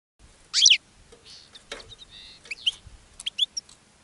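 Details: European goldfinch singing in a cage, attracting other goldfinches: a loud harsh burst opens, followed by tinkling high chirps, a short buzzy nasal note and quick twittering notes.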